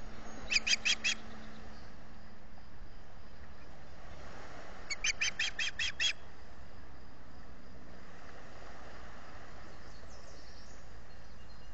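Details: Osprey calling for fish at its nest at Salt Point in the Finger Lakes, US, on 18 June 2021, picked up by a solar-powered nest camera; two short bursts of sharp, high whistled chirps about four seconds apart, otherwise a quiet background.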